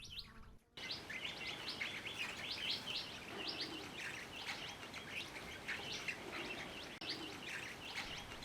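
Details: A flock of about 50 Mulga parrots arriving in early morning to drink at an elevated water trough at Gluepot reserve in the dry mallee of outback South Australia, with galahs nearby, keeps up a dense, continuous chatter of bright chirps and whistles.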